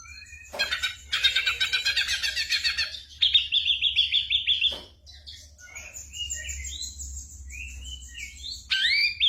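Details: Mimicking ashy drongo whose song imitates gunshots and other birds, used to train songbirds such as the white-rumped shama; sharp cracks, a dense chattering burst, a fast even rattle, then thin rising and falling whistles.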